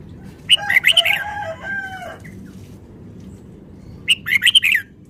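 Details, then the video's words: Caged red-whiskered bulbul, described as a Vietnamese bird, singing fast, rapid phrases: two bursts of bright, sharp chirping notes about three seconds apart, with a lower, steadier whistled tone held between them over a quiet background. "นกกรงหัวจุก จ้าวมาเฮง นกเวียดนาม ร้องรัวรัว"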